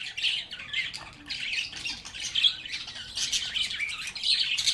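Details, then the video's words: Lovebirds singing, playing and talking together: dense, continuous high chirping and squawky chatter from several birds, swelling and fading in overlapping bursts with no pauses. "Lovebirds agapornis sounds | Relaxing Sounds of Singing, Playing, and Talking Parakeets"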